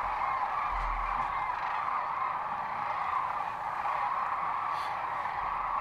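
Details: Massed sandhill cranes calling at Rowe Sanctuary, Nebraska, in March 2014, a dense unbroken wall of rattling, bugling calls from countless birds, with a low rumble beneath.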